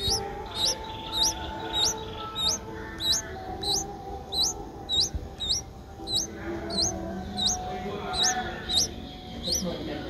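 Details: Seven-day-old Streak-eared Bulbul chick in Ubon Ratchathani, Thailand, 9 April 2023, eyes just opened, calls with very high, hooked upward squeaks at a regular pace of nearly two per second, over a soft low hum.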